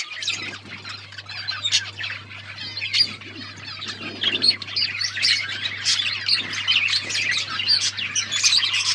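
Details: Flock of budgerigars chirping and warbling nonstop, overlapping high twittering notes with occasional sharper squawks, a constant low hum underneath.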